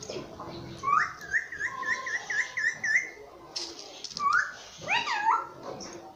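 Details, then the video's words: Pet rose-ringed parakeet, called a nonstop speaker of "mummy papa"; a quick run of short, evenly repeated whistled notes, then a pause and a few louder rising, squawky whistled calls. "Nonstop Speaking mummy papa"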